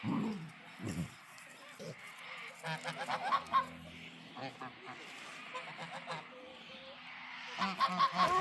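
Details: Farm geese honking happily, with scattered bursts of nasal, harmonic honks around the third and eighth seconds over a quieter background of low murmuring.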